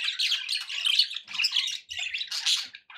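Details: Budgerigars kept as pets give rapid scratchy squawks and chirps in short bursts separated by brief gaps, about four clusters.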